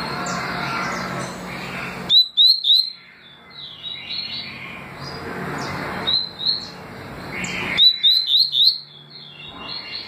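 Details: Double-collared seedeater singing in the styles called tui tui and deputado: bursts of three to four sharp, rising whistled notes, repeated twice, separated by stretches of hissy background with faint chirps.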